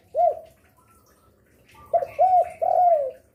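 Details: Spotted dove said to call diligently day and night, kept as a lure for other doves; one short coo, a pause, then three arched coos in quick succession, the last drawn out and falling.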